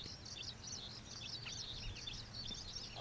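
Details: Brief burst of high, slurred twittering from juvenile common waxbills, escaped cage birds now wild at the old iron bridge wetland in Pingtung, Taiwan, with soft low rumbling in the background.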